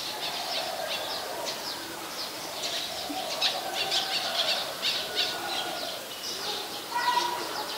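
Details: Olive-backed sunbird recorded at a home on 23 March 2021 around 5:29 PM gives a busy, irregular run of sharp, high chips and short buzzy notes, with a faint lower hum underneath.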